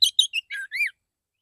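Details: Morning song of a male Oriental magpie-robin calling to other magpie-robins: a rapid burst of five bright notes, chirpy at first, then two lower, slurred whistles, in clean quiet surroundings.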